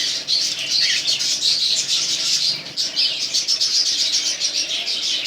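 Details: Pet cockatiel pairs keep up a dense, scratchy twittering of high squawks and chirps, with a brief rising note near the start.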